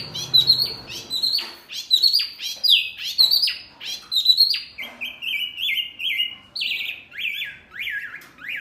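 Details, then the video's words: Masteran song meant to make caged birds answer; dense, rich phrases of fast sweeping whistles and sharp clicks, shifting to lower repeated slurred notes toward the end. "Masteran burung Murai, Kacer, Cucak ijo, jalak, pasti NYAUTTTTT"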